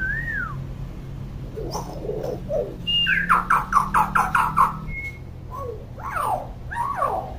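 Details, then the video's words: Common hill myna, described as noisy and always calling, a tutor for young birds. A falling whistle, scratchy chatter, then a fast run of about a dozen rapid throaty pulses, followed by short sliding whistles, all over a low hum. "KING BURUNG BEO GACOR & CEREWET"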